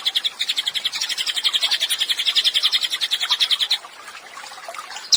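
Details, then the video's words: Pygmy tit in persistent song for songbird training: a quick series of high, sharp chirps for nearly four seconds that stops abruptly, followed by quiet. "CILILIN GACOR, MASTERAN HANDAL UNTUK BURUNG KICAU."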